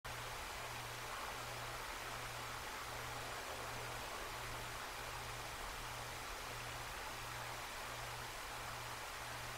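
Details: Continuous broadband rushing noise over a low, evenly pulsing hum.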